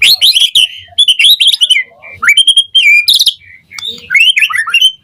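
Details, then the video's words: White-rumped shama (murai batu) morning song used as a lure to make birds answer: rich run of loud whistled and warbled phrases, rising and falling slurs with quick chattering notes, short pauses between bursts. "Pancingan Murai Batu PAGI HARI EFEKTIF Bikin NYAUT RESPON Suara Burung Murai Jadi Gacor Full Isian"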